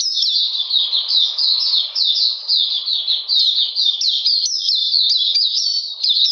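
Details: Continuous song of an Oriental magpie-robin in cold, wet weather on 13 June 2020; bright slurred notes fall in pitch and repeat in a fast, even rhythm, with quicker flourishes toward the end.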